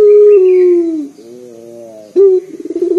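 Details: A local collared dove with a strong, bassy call, used as a lure. One long low coo trails downward, a softer level note follows, then a sudden rolling stutter begins the next phrase.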